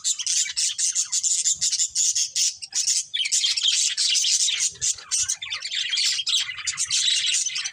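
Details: Budgerigar breeding pair in loud, almost unbroken high scratchy chatter, dense twittering and squawks throughout.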